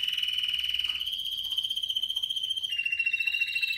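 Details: Spanish Timbrado canary, 2017 bird, holding a sustained pure bell-like trill that stays level for nearly two seconds before stepping down to a slightly lower rolling tone.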